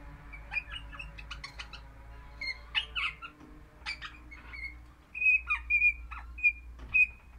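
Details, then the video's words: Crimson rosella, orange pennant form, a happy pet parrot singing indoors: mixed chattering squeaks and short harsh notes, then a run of clear piping whistles repeated quickly near the end. "Happy Parrot Crimson Rossela Pennant Orange Singing"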